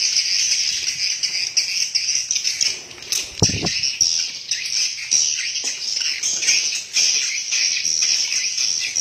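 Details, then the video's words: A crowd of swiftlets in a swiftlet house keeps up shrill, overlapping chirping throughout, with one brief low thump or rustle near the middle and occasional quieter moments. "SUARA ASLI BURUNG WALET DALAM RBW"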